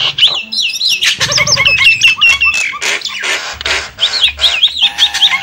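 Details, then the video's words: Lure recording of Javan myna used to draw in wild birds: busy chatter of rasping squawks, clicks and wavering whistles, several bursts per second, ending in looping whistled notes. "suara pikat burung jalak kebo"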